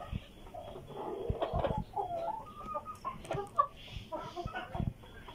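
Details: Tiger chickens fed vegetables; a steady run of soft, irregular clucks and murmuring calls with brief thumps, low background hum throughout.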